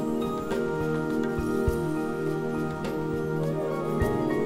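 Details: Soft sustained instrumental music with held tones and occasional light percussive taps, and no animal sounds.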